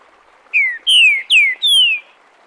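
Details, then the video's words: Green-winged saltator song phrase of the "Bom dia seu Chico liso" dialect, recorded live to teach young birds: four clear, loud whistles, each sliding downward, the second and fourth held longer, with a quiet background. "Trinca ferro canto Bom dia seu Chico liso para ensinamento de filhotes"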